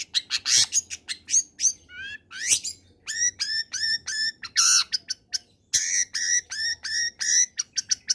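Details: Actively singing long-tailed shrike, a combination song meant to prompt quiet shrikes to join in: a fast, varied stream of sharp high chips and repeated downslurred whistles, with a few harsh bursts and a short pause near the middle.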